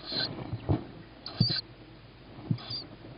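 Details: Tawny owl chick begging near a feeding, evening of 21 May 2017 at 21:38. Three short, wheezy, hissing shrieks, each followed by dull low knocks and scuffling sounds.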